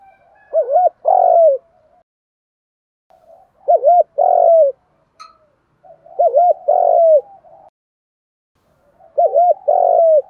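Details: Spotted dove decoy bird calling to stir other doves into calling and fighting; low cooing phrases of two quick hooked notes then a longer drawn-out coo, repeated about every three seconds, four phrases in total, quiet between them.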